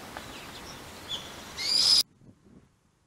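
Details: Brown-eared bulbuls, a migrating flock said to come from Siberia each January, feeding on round-leaf holly berries in a home garden. A few faint high chirps, then one loud, harsh, shrill screech lasting under half a second, followed by near silence.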